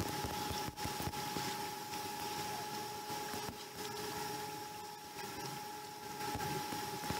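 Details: Constant electrical whine over a rushing hiss with occasional knocks, and no animal sounds.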